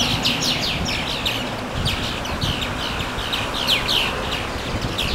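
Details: Birdsong along the Watarase River on May 4: continuous high, rapid chirping with thin downslurred notes in loose bursts, over a low rumbling background noise.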